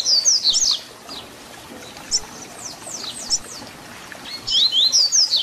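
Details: Papa-capim, the double-collared seedeater, in the Tui Tui Zel Zel fibra song meant for teaching young birds. Bright, high, rapidly repeated down-slurred whistles open and close the stretch, with scattered softer notes between them over light background hiss.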